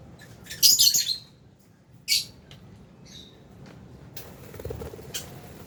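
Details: Albino and Fisher's lovebirds chattering in an aviary while eating: a harsh, scratchy burst of rapid chatter, a single shrill squeak, a thin faint note, then rustling noise.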